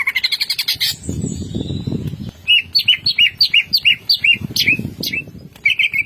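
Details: Greater green leafbird in ngentrok song with fill-in phrases: a fast rattle, a long high whistle, then repeated short looping whistled notes, with low rustling or fluttering sounds beneath.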